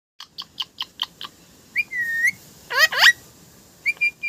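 A parrot gives a quick run of six short chirps, then a long level whistle and two swooping, voice-like phrases, ending with brief whistles.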